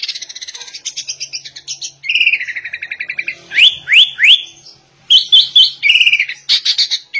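A sooty-headed bulbul sings a varied, high-pitched song like a white-rumped shama's: rapid chattering trills, three quick rising whistles, then bright repeated phrases.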